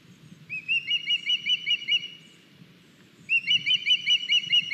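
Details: Young osprey bringing a big fish to a nest in Estonia, 9 August 2021, via live nest camera; two bursts of about eight high, clear, downslurred chirps each, separated by a second of quiet.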